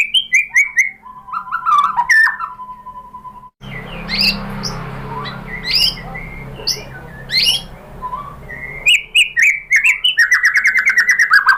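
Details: White-rumped shama (murai batu) lure song, meant to provoke other shamas into answering: clear whistled phrases, a long steady mid-pitched note, then a noisy stretch with scattered high notes, ending in a fast run of bright repeated notes.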